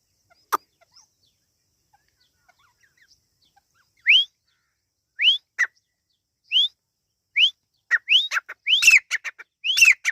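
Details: Partridge chicks (Irani teetar) calling: clear upslurred whistled peeps, each rising sharply, repeated about once a second and growing more frequent and overlapping toward the end, with a few faint clicks before.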